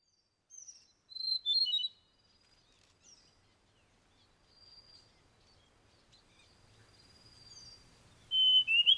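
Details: Taiwan fulvetta foraging on a tree trunk at Tataka, Taiwan, giving thin, high, slurred chips in a quick cluster, then a quiet gap and another sharp burst at the end.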